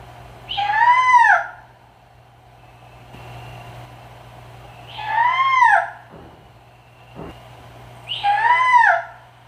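A Black-banded Owl gives three drawn-out, arching screeches, each rising then falling and about a second long, spaced a few seconds apart over a steady low hum.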